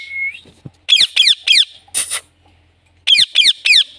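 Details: Pet Indian ringneck parrot giving a short whistle, then two bursts of three harsh, rapidly repeated squawking notes separated by a pause with a brief noisy hiss.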